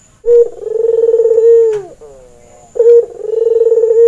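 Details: Male albino Barbary dove, white with red eyes and in breeding condition, kept as a master bird for training: two coos, each a clipped opening note swelling into a long vibrating hum, with a faint click between them.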